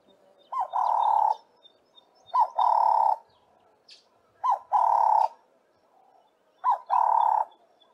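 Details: Ring-necked dove, also called Cape turtle dove, giving its regular "work harder" call. Each phrase is a short rising lead-in note followed by a longer burry, rasping coo, repeated about every two seconds, four phrases in all, against a quiet background.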